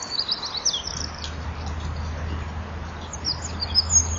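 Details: Eurasian wren singing at dusk on a January winter evening, wings fluttering as it sings; high, thin, rapid trilling notes in bursts over low steady background hum.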